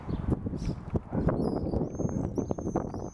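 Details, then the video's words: Common swifts, non-breeders or 'bangers' at nest boxes under the eaves at the back of houses in June 2014: high, thin, drawn-out screaming notes with a faint upper overtone, over dense low knocking and rumbling noise. "swifts 2014 - June 16th bangers at under eave boxes"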